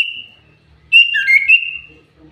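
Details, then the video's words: Common iora singing, recorded as a lure to draw other birds into song: a long high steady whistle, a pause, then a louder phrase of several sliding whistled notes that drop briefly and rise again before trailing off. "Burung cipoh pancingan super gacor"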